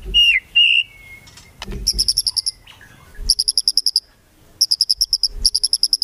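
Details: White-rumped shama giving kretekan song meant to provoke rivals into singing: brief whistled slurs, then bursts of rapid, evenly spaced high ticking notes repeated in quick series with short pauses between them.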